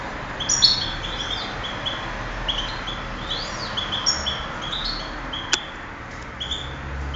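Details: Singing-contest goldfinch, recorded 2008, pours out a steady, rambling sequence of high twittered notes and short trills, with one sharp click partway through.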